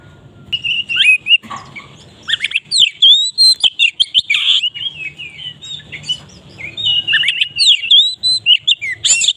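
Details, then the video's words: Loud, open-voiced oriental magpie-robin song meant to lure others into singing: rapid clear whistled notes, sharp chips and twisting slurs in a near-continuous stream, with faint low background hum. "suara kacer ngeplong keras cocok untuk pancingan Kacer Maret bunyi!"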